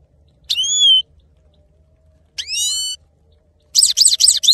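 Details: Male goldfinch, the saira, singing: a long nasal whistled note, then a second drawn, slightly rising one, then rapid, high, tinkling twitter.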